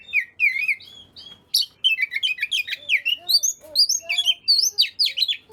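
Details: Oriental magpie-robin song for prompting idle birds to sing: a lively stream of whistled, trilling and slurred phrases, some lower mellow notes mixed in, nearly without pause.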